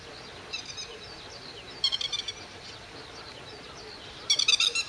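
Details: Grey-headed lapwing defending its territory against a grey heron and ducks with low attacks, 31 May 2011 at 08:20; two bursts of sharp, harsh, rapidly repeated high calls, a faint call earlier, over steady background hiss.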